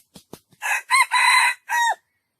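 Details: A few soft knocks lead into a junglefowl's crow: a rough first note, an arched middle hitch, a long level raspy syllable and a final note sliding downward, roughly one and a half seconds long.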